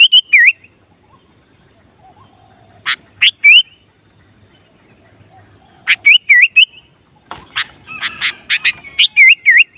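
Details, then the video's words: Sooty-headed bulbul used to lure wild bulbuls sings repeated bubbly phrases of sharp notes and wavering whistles, ending in a denser rapid burst of chirps, with a soft hum in the background. "Kutilang Gacor Memancing Kutilang Liar"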